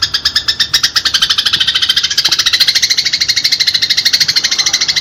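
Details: Agitated house sparrow fighting call for training pet birds: a steady chatter of sharp chirps that speeds up slightly and stays dense throughout.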